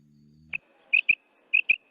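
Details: Female quail call used to lure male quail for hunting; after a brief low hum, one short high note is followed by two quick pairs of clipped, high chirps.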